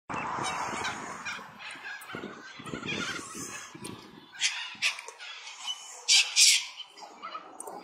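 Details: White cockatoos (Cacatua alba) fighting with each other in a wrestling match: harsh, raspy screeches and short squawks in irregular bursts, with the loudest shrieks near the end, over scuffling and rustling.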